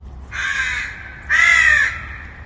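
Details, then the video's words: Distant crow cawing: two harsh, drawn-out caws about a second apart, the second louder, over a faint low background hum. "Crow Bird Distant Calls Cawing"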